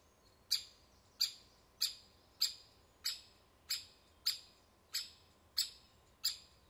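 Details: Woodpecker at the nest repeating a sharp, high, percussive call ten times, each roughly 0.6 seconds apart in a steady rhythm, with a faint steady hum in the background.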